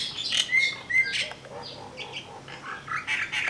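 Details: Common myna, Vryheid, KwaZulu-Natal, South Africa, 12 December 2007: loud, varied mix of short whistled notes and harsh, wheezy squawks in quick succession, with a jumbled, gurgling quality throughout.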